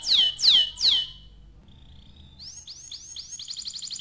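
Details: Song of a canary used to encourage young canaries to sing: three loud, sharply falling whistles, a brief soft tone, then a run of quick rising chirps speeding into a bright trill.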